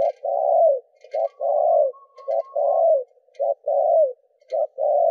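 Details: Spotted dove cooing to prompt captive doves, 'đảo nước' style: short note plus long falling coo repeated about once a second, with faint clicks and a thin high tone in the background.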